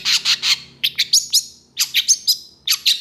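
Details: Long-tailed shrike in mimicking song: harsh bursts and sharp chirps in quick groups of three or four, repeated roughly each second.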